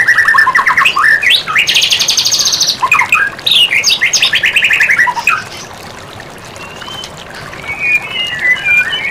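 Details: White-rumped shama (murai batu) in a masteran training recording: varied phrases of swooping whistles, a high rapid buzzy trill, and descending rattles, then quieter thin whistled notes toward the end.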